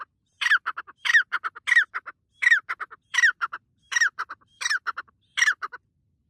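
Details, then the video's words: Willow ptarmigan in a forest in the morning as the sun rises, giving loud, harsh, croaking squawks, each trailing into a quick stutter of clipped notes, repeated about once a second in an otherwise quiet setting. "The white partridge makes a loud noise"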